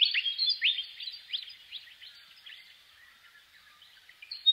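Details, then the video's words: Willie wagtail opening with strong, quickly repeated rising whistles that soften into a quieter trailing chatter toward the end. "Natural Birds Voice, Bird Natural Sound.Willie Wagtail"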